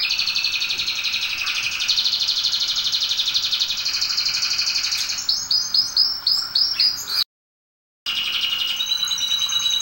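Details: Domestic canary performing song used to train canaries: long rolling high trill, then a series of evenly pulsed bubbling notes, a short break, and renewed trilling.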